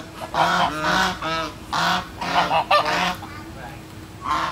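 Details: Domestic geese honking on 13 August 2016, ducks also present; a series of separate nasal honks, each about half a second, spaced irregularly with brief quiet gaps, one last honk at the close.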